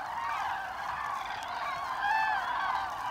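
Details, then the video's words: Flock of common cranes on autumn passage over Hesse, Germany, 25 October 2021. Continuous, overlapping rolling calls form a thick chorus that grows louder in the second half, where clearer trumpeting notes stand out. "Herbstzug der Kraniche/ Autumn migration of Cranes"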